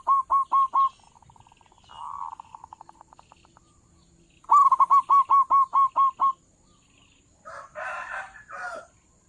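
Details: Loud local zebra dove recorded as a lure for trappers: a short run of staccato hooked coos and a soft purring phrase. A longer series of about nine ringing coos follows, then a few rougher notes.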